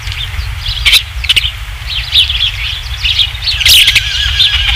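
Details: Osprey at the Dunrovin Ranch nest on 27 July 2016 near 19:55, with the third fish arriving: high whistled cheeps in irregular runs, growing busier toward the end, over a low constant hum.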